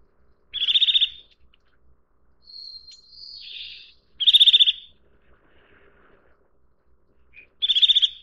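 Eurasian nuthatch giving three loud, rapid, high trilled bursts, each about half a second, roughly every three and a half seconds, with a fainter thin whistle between them.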